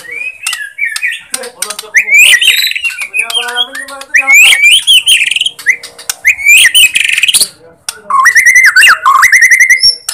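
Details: White-rumped shama, Borneo type, song used to goad lazy shamas into singing: energetic, jumbled phrases of rising whistles, harsh buzzes and chatter, ending in rapid high notes and a clear, level whistled phrase.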